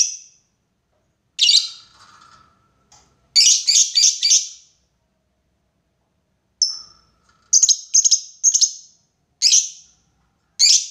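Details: Lovebird ngekek calling to lure a rival: shrill, high screeches in clusters of rapid chattering notes, with a long pause mid-way, then more clipped screeches and harsh bursts.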